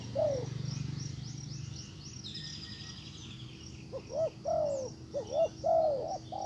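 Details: Spotted dove used as a decoy calling to lure a wild bird; after a few quiet seconds a run of low, hollow, bending coos starts, with faint high chirps of other birds and a steady low hum.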